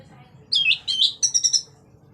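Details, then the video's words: Orange-headed thrush in lively 'gacor' song of the 'ngeplong' style, used to prompt other orange-headed thrushes to sing: three quick bursts of high, twisting chirped notes, the last a rapid stuttering group, over a faint low hum. "Pancingan Burung Anis merah Agar Cpt Ngeplong Gacor bunyi"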